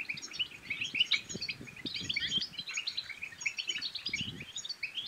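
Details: European goldfinch song, used to stimulate other goldfinches to sing and to mate: a dense, fast, tinkling twitter of high liquid notes and trills running unbroken, with soft low clicks and knocks underneath.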